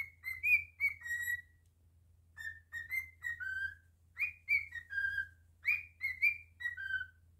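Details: Indoor cockatiel whistling its tune: clear tonal phrases with upward slides and a falling final note, a brief gap, then three more repetitions over a low steady hum.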